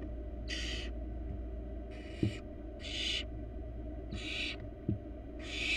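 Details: Wild barn owl nestling in a monitored nest box, giving harsh, breathy hissing screeches of about half a second each, five bursts spread irregularly over six seconds, over a steady low hum and occasional faint knocks.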